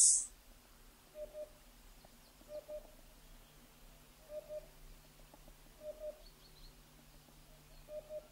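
Eurasian hoopoe giving soft, low, hollow 'oop-oop' notes in pairs or triplets, repeated about every one and a half seconds, over a quiet background.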